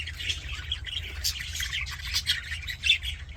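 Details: Happy budgerigars chattering: a dense, continuous stream of scratchy chirps and warbled notes with brief louder squawks near the middle and end, over a steady low hum.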